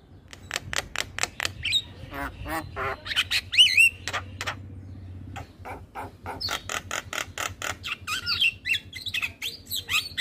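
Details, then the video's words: Male Javan myna singing energetically while head-nodding. A rapid jumble of harsh rasping pulses mixes with brief twisting whistles and squeaky slurred notes over a low, steady background hum. "Masteran Jalak Kebo terpopuler - Jalak Kebo Jantan Super Gacor Manggut2"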